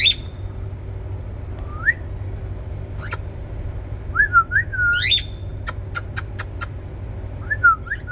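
A cockatiel gives short rising whistles and warbling chirps against a steady low hum.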